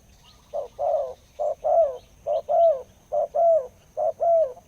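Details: Big-voiced wild spotted dove repeating a neat two-note coo, short then longer and falling, at an even pace of about one phrase per second against a faint background hum.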